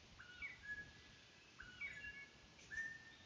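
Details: Captive-raised Northern bobwhite quail calling inside an old house: three faint, thin whistled calls, each a short rising note followed by a clear level whistle, spaced about a second apart over quiet background hiss.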